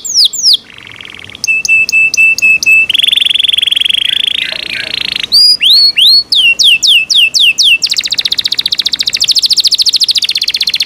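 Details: Yorkshire canary, a kept bird, singing a loud varied song: buzzy high trills, steady whistled notes, rapid descending sweeps and fast rattling tours in quick succession, with no other sounds.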